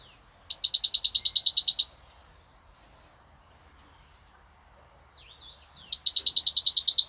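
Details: Song of a yellowhammer, 26 May 2026. A quick series of about a dozen identical sharp notes is followed by a prolonged high final note. Silence and a few soft distant chirps follow before the next phrase starts up.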